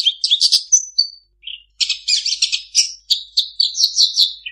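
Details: A long-tailed shrike sings a fast, high medley of chirps, trills and buzzy notes mimicking birds such as ciblek, magpie-robin, flycatcher, other shrikes and chicken, with one brief pause midway.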